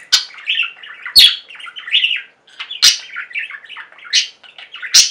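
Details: Near, loud budgerigar singing from a pet flock: soft gurgling warble punctuated by sharp clicking chirps about once a second, with squeaky rising notes in between.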